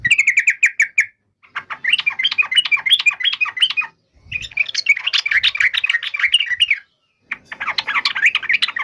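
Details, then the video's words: Yellow-vented bulbul pouring out four long bursts of fast, buzzy chattering notes, each about two seconds, separated by short quiet breaks. "SUARA BURUNG TRUCUKAN"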